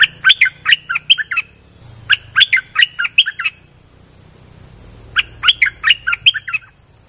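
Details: Streak-eared bulbul song: three bursts of quick, bright chirping notes, each phrase about a second long, separated by short pauses, over a faint steady high hiss.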